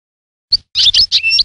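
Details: Short European goldfinch phrase: a single high chip, then tinkling twittered notes ending in a sustained thin whistle.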